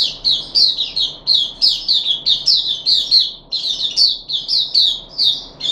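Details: Puff-backed bulbul in captivity, 14 July 2021, third day after deworming, pouring out a steady string of sharp, clipped chattering notes grouped in short clusters.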